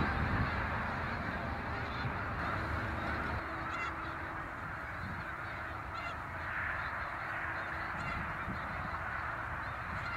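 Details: Migrating snow geese in Canada: a large flock fills the air with a steady, dense clamor of overlapping nasal, yelping honks that never pause.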